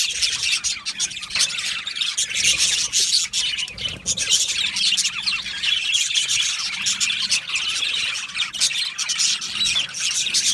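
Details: Australian budgerigars in an aviary colony, a dense, continuous chatter of high chirps and warbles overlapping throughout, with frequent sharp ticks and squeaks and no pauses.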